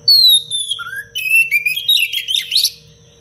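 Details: Oriental magpie-robin song recorded for training other birds: a loud high descending whistle, a short rising note, then a rapid tumble of chattering, buzzy notes ending abruptly, over a faint hum.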